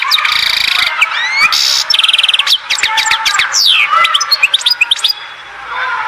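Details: European goldfinch from Oued Zhour, Skikda, delivering a varied, jumbled song. It mixes buzzy rattles, quick pulsed trills, sliding whistles and sharp chips in close succession.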